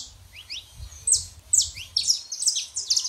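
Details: Saffron finch, male and female, song used to warm up a quiet canary: high bright chirps and quick downslurred notes in loose bursts, with low rumbling background noise.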